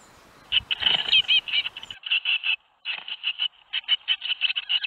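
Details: Young tits in a nest box at Théding on 21 May 2019, the day seven of them fledged. Loud, dense, raspy chattering in rapid pulsed bursts, with a brief pause midway. Faint rustling at the start.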